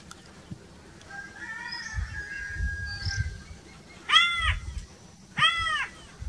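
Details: Crow calls outdoors: two harsh arched caws near the end, about 1.3 seconds apart, after faint whistled notes of other birds and low background rumble.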